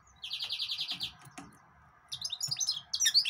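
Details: Yellow-fronted canary (green singer) song: a fast even trill of about ten rapid notes, a pause, then varied high chirps and twitters.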